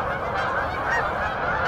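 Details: On a winter morning with snow, in town three blocks from a house, a dense flock of Canada geese stopping over on southward migration with many mallards honks: overlapping nasal calls in a continuous mid-pitched clamor.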